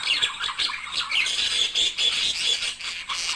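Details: Budgerigar couple singing to encourage mating; chirpy, squeaky warble in pulsing bursts about every half second, with short clear whistled peeps between rasping chatter.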